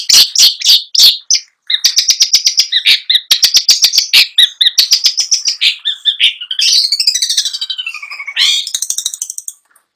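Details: Long-tailed shrike in nonstop rolling song: sharp opening notes, then a long rapid ticking trill and warbled, sliding mimicked phrases rising and falling, continuous for about nine seconds.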